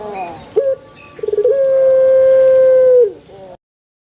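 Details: Single extended crow from a pelung chicken among banana trees: a sharp short note and fluttering pulses, then a steady held tone lasting about one and a half seconds that fades off.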